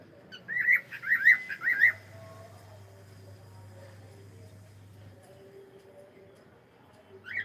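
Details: A pet cockatiel saying hello gives three quick rising whistled chirps in the first two seconds, then quiet room hum, and one more whistle right at the end.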